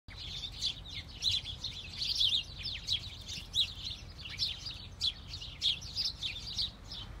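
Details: A flock of house sparrows in falling snow, a dense chorus of short, bright chirps and tweets overlapping continuously, bursts coming every fraction of a second with louder peaks throughout.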